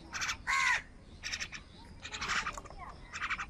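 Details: Crows fighting with wild birds for food on a rainy morning; harsh, broadband caws in short bursts, one louder drawn-out squawk near the start, with chattering from other birds in between.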